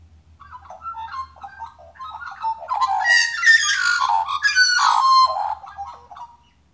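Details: Australian magpie singing: a rich, warbling run of fluting and gurgling notes that builds into loud, complex, overlapping carols, then fades to soft notes at the end.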